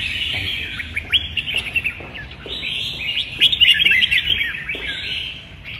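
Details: Singing contest of red-whiskered bulbuls dated 15/12, with rapid, jumbled whistled notes and chirps in quick succession that swell to a louder, sparkling run midway, then ease off.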